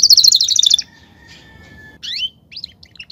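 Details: Belgian canary, campainha style, giving a rapid high trill, then a thin sustained whistle after a quiet gap, and a few rising slurred notes.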